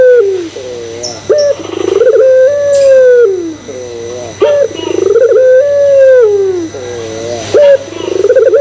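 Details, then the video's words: Barbary dove, pelung type, cooing as bait to make others coo. Three phrases, each a quick high note, a pulsing build-up and a long arched coo that sinks at the end, with low wavering notes between. "Pancingan Puter Pelung Bikin Puter Pelung Yang Lain ikutan Gacor"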